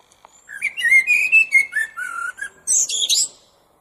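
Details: Common blackbird song: a run of mellow fluted whistles that wander up and down, ending in a squeaky, high twittering flourish, with soft background noise.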